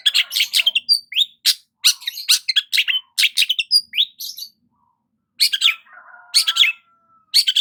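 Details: Long-tailed shrike basking in morning sun, delivering dense chattering strings of rough chirps, then a pause, a thin drawn-out whistle, and a fresh burst of scratchy notes.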